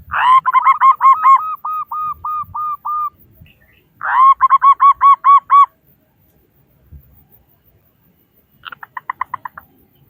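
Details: Local Indonesian zebra dove with a big voice, used as a lure to prompt other doves to sing: phrases of rapid cooing notes near one pitch, one phrase trailing into evenly spaced hooked coos, then two shorter bursts after pauses.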